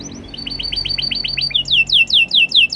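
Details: Canary song in two parts: a quick series of short repeated chirping notes, then a run of louder, swooping downward whistles repeated about three times a second, recorded close with faint low hum.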